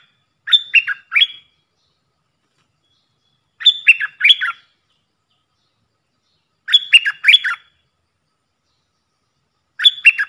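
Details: Decoy puff-throated bulbul sound for training young birds: short warbling phrases of two or three chirpy, downward-slurred notes, repeated roughly every three seconds with silence between.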